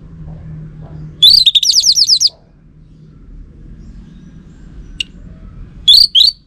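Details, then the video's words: Orange-headed thrush song used as a lure for males. A quick run of about ten bright, descending slurred notes is followed later by a single sharp click and two short high notes. "Ga Bunyi Dengan Pancingan Burung ANIS MERAH Ini dipastikan Itu Burung Betina, Jantan Pasti Nyaut"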